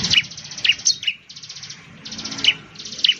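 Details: Indonesian bar-winged prinia producing scattered sharp high chirps over a steady buzzy, trilling background band, with several louder accented notes spread through the three seconds.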